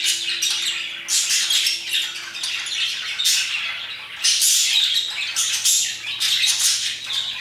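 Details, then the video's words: Flock of parakeets chirping around 2pm, rapid high twittering interrupted by harsh squawk bursts at regular-ish intervals, with a low faint steady hum in the background. "Parakeets chirping and singing their hearts out"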